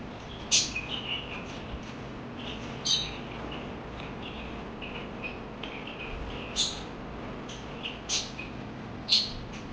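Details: Scattered parakeet chirps: loud sharp squeaks every few seconds with softer twittering notes in between, over a constant faint hiss.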